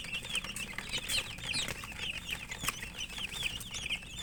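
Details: Several murgi chicks eating and chirping continuously, with bright, high, slurred peeps in quick overlapping succession and sharp clicks from pecking at food.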